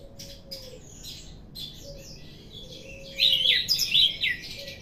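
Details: Orange-headed thrush, a ringed bird said to be singing ever more freely, gives soft scratchy warbling followed near the end by a loud burst of rapid, rich whistled notes; faint steady low tones sound underneath.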